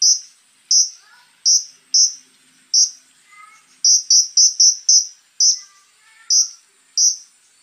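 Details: Konin delivering loud, harsh, high-pitched shots, spaced at first, then a fast cluster of four, with faint thin whistles of another bird behind.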